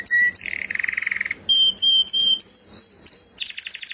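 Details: Canary singing short sections: a low buzzy rolling trill, several long flat whistled tones at rising pitches with sharp high clicks between, ending in a quick rapid trill.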